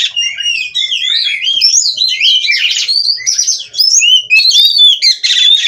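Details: In vigorous 'gacor' nonstop song, a captive-bred Oriental magpie-robin strings together wavering whistles, warbles and sharp chips in a steady flow for the whole clip, ending in a buzzy burst.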